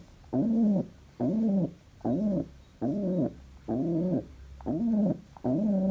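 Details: Happy pet pigeon calling indoors: seven low, harmonic-rich cooing notes, each about half a second long, repeated roughly once a second with short quiet gaps.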